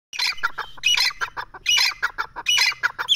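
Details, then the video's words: Partridge (teetar) calling loudly in a lively, excited mood: harsh, grating bursts repeated rapidly in uneven phrases of several notes, with short pauses between groups, continuing without a break. "teetar ki awaz | teetar ki boli"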